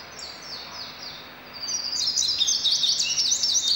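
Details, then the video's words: Indigo bunting song: soft, high descending slurs, then a loud, bright run of quick buzzy high notes. "Bird Song Indigo Bunting"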